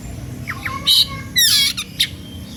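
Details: {'text': 'Oriental magpie-robin singing in an energetic, fired-up style meant to provoke other magpie-robins within earshot to sing along; low whistles then loud harsh buzzy bursts and bright high sweeping notes, with faint low background hum.'}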